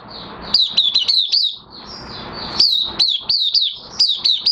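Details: Oriental white-eye, caged and in minor moult, recorded 3 June 2022, delivering clusters of sweet, high, falling chirps in rapid sequence, with a brief soft hiss between the two bursts.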